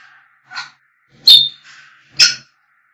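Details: African grey parrot calling: three short bright squawky notes, one ending in a brief high whistle, with faint whistled tones between them.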